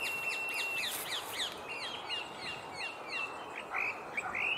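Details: A song thrush singing in a tree by the Speke obelisk gives bright, high phrases: a thin whistle, then sharp down-slurred notes repeated several times in quick succession, over a steady background hiss.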